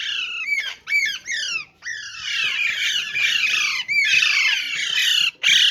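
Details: Group of caged parrots calling: harsh, overlapping squawks and screeches, dense and continuous with brief gaps, several birds calling at once.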